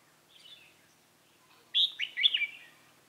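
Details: Red-whiskered bulbul singing as a lure at a bird trap for rival males, 28 October 2018. A soft phrase is followed by a strong, quick series of bright whistled and slurred notes.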